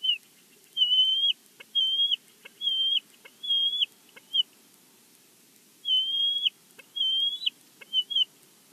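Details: Bald eagle at its nest in Big Bear, from a live nest camera: a series of thin, high whistled notes, some ending in a quick upward flick, given in uneven bursts against a quiet background.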